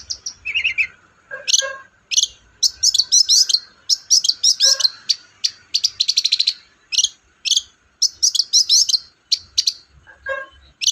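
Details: Long-tailed shrike song played to stir a quiet shrike into singing: a long rapid medley of sharp chips, high squeaky slurs and short trills, delivered in quick clustered bursts.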